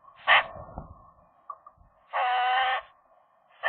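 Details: Eurasian magpies, apparently a young pair, flirting inside their nest in January, the female new to the territory: a short harsh squawk, then a longer raspy, nasal chattering call lasting under a second, over a steady low hum.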